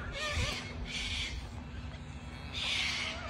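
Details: A flock of hundreds of cockatoos gathers on a sports field in Melbourne, Australia. Rasping, hissy screeches come in three separate bursts over a steady low hum of background noise.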